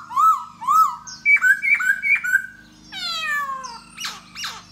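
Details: A khướu da bò laughingthrush sings while dancing to draw in a female. It gives two looping whistled notes, then sharp rising chips and a long descending harmonic slur, all over a low steady hum.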